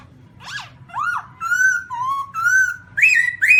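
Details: Black-throated laughingthrush, recorded in 2017: a short rising note, then a series of clear whistled phrases that step between lower and higher pitches. The whistles are held longer and grow louder toward the end.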